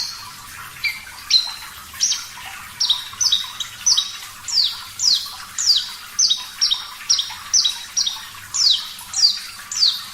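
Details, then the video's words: Javan bush lark, Parva type, singing energetically and clearly, recorded to train songbirds: opens with varied notes, then a long regular series of high, sharply falling whistled chips about twice a second. "Masteran Branjangan Parva Gacor Suara Jernih"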